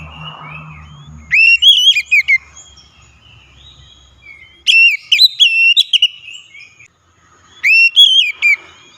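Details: Loud oriental magpie-robin song played to coax a reluctant bird into singing, three bursts of rich whistled notes mixing rising sweeps and wavering tones, with quiet gaps between phrases.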